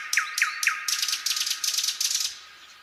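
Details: Common nightingale in a quiet spring pine forest: three sharp downslurred notes followed by a loud dry rattling trill of rapid clicks, fading out.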